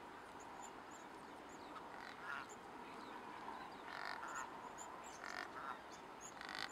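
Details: Cape Barren goose (Cereopsis novaehollandiae) in Australia, January 12 2019, giving harsh, grunting honks in four short bursts a second or two apart, over a steady background hiss.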